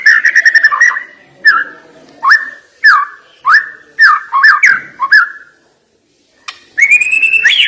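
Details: White-rumped shama with a sharp-sounding song fill. Fluty mid-pitched whistles rise and fall, delivered singly about every half second after an opening rattle. A short silence precedes a final high, rolling flourish.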